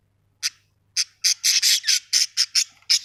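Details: ['Budgies producing a fast series of about ten harsh, raspy squawks, spaced roughly a fifth of a second apart and gradually crowding together, in otherwise quiet surroundings.']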